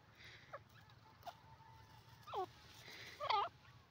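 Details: Desi francolin, called dakni teetar, calling; four hoarse, harmonic notes spaced about a second apart, each sweeping briefly, the last two loudest and most complex, with a thin steady tone in the background between them.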